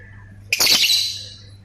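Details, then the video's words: Lovebird giving one short harsh rasping burst that tails off gradually, with a low steady hum behind it. "BURUNG 🐦LOVBIRD SUARA NGETIK TAMBAH NGEKEK"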